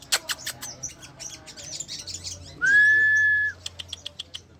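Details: Crimson sunbird in a lure and therapy training recording for songbirds: rapid high, thin chirps and clicks, then a loud, level whistled note held for about a second, followed by a run of short sharp ticks.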